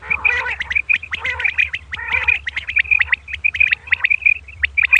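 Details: Female common quail calling at dawn in quick, loud, irregular chirps, with harsher layered notes early on and a thin high whistle running through, over a faint low hum.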